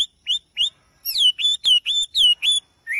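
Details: Songbird singing in the morning, described as a melodious, energetic singer: short clear whistled notes, mostly upward and downward slurs, delivered in quick bursts about four per second with brief pauses, a clean background.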